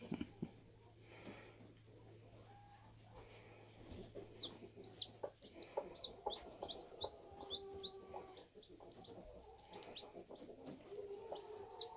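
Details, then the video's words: Newly hatching bantam chicks: high, sharp, downward-slurred peeps repeated roughly twice a second through the second half, over lower soft clucking tones, with a steady low hum early on. "Bantam Chicks Hatching"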